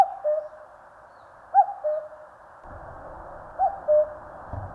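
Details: Two-note cuckoo calls from a common cuckoo in the mountains of Korea. Three falling cuck-oo phrases are heard, and a low rumbling noise starts midway through.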